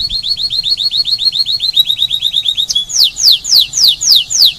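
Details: Spanish timbrado canary singing at Rhodes island, Paradisi, Greece: a fast run of repeated downslurred metallic notes, then broader sweeping notes repeated about four per second, loud and clear.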